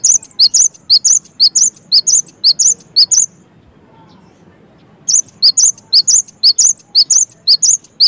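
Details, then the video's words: Long strings of sharp, high cinereous tit notes, evenly paced at about two per second, with one short silence between two sustained song bouts. "suara GELATIK BATU gaCoR"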